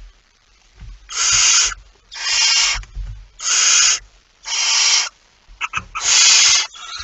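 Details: Barn owl at the nest with prey, 23 September 2019: five evenly loud, coarse hissing bursts of about half a second, one every second or so, over low thuds and shuffling sounds.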